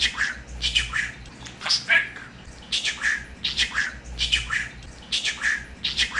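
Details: Budgerigar kept as a pet talks in rapid, scratchy, speech-like syllables with short chirps, phrases coming in clusters over a soft background rumble.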